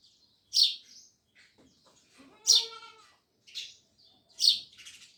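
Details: Sparrows chirping: loud harsh chirps about every two seconds; one call carries a drawn-out tonal, squeaky quality, with soft clicks and twitters between notes.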